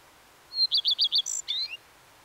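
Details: One Common redstart strophe. It starts with a pure high note, then four strong repeated downslurred notes, a brief rattly high burst and a rising squeaky final phrase, over faint background hiss.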